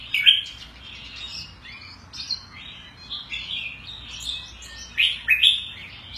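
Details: Captive Oriental white-eye from Singapore, a new intake fed pellets for about a week, described as aggressive with good stamina and singing a lot of loud chup notes, sings a rambling, high twittering warble of quick slurred notes with sharper bright bursts near the end; quiet background.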